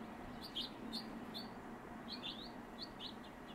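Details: High, clipped chirping notes come in quick bursts from a northern mockingbird at its nest site in southwest Virginia on 7 March 2021, over a faint constant hum.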